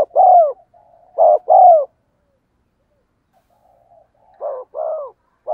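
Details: Spotted dove decoy call, a standard lure used to make wild doves coo back, in a rich 'field' voice; low hoarse coos in two- and three-note groups with a long pause between phrases, no other sounds.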